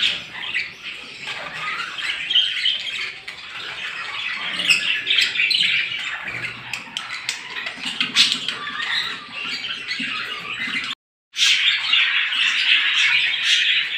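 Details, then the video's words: Small birds in the morning, a flock giving continuous high-pitched chirps and squeaky twitters, rapid and irregular, with a short break in the sound near the end. "صوت العصافير في الصباح"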